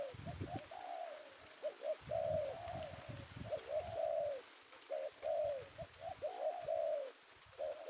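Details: Penguku-type male spotted dove from Indonesia, a bird sought by lure-bird keepers, caught this afternoon; repeated soft coo phrases of quick paired notes ending in long falling coos, cycling roughly every two seconds over low background noise.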